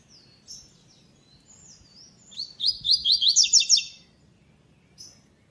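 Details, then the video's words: Double-collared seedeater (coleiro) in the second stage of a web singing tournament, classic song style without the third note: soft, high slurred whistles, then a loud, fast run of sharp, buzzy, chattering notes, and one short final note. "Coleiro “Magia” Sonograma 2ª Etapa Torneio Vídeo WEB Canto Clássico Sem 3ª Nota"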